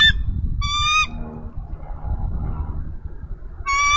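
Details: Bald eagle female at a Minnesota nest on 3 May 2013 calling her mate for a nest exchange; two bright, harmonic piping calls three seconds apart with a soft lower sound between, low wind rumble throughout.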